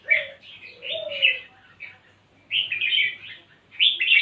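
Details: Red-whiskered bulbul singing in a lively, energetic mood: bursts of bright, bubbly chirped phrases with a lower slurred whistle in the first half, then two more rapid chattering phrases after a brief pause.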